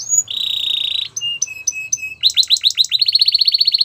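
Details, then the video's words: Belgian canary song meant to get other canaries singing: a high whistle, a steady buzzy trill, several sliding chirps, then a quick run of repeated downward-swept notes, high and clear. "Special canaries to seduce all the canaries to make them sing | Belgian canary"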